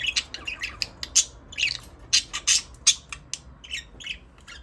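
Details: Budgerigars give a quick series of sharp, high chirps and squawky notes, roughly two to three per second, uneven in spacing and loudness.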